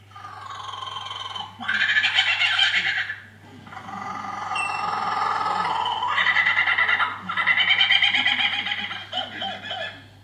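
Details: A captive superb lyrebird in a walk-through aviary at Healesville mimics a kookaburra's laugh: raucous, rolling cackles in two long bursts that swell and fade, over a steady low hum.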